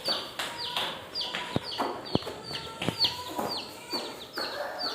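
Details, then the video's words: Many coloured chicks, baby chickens, in a village, give shrill, downward-sliding peeps repeated in quick uneven succession, punctuated by a few loud tapping clicks. "Many Coloured Chicken Baby, Coloured Chicks, Baby Chicken"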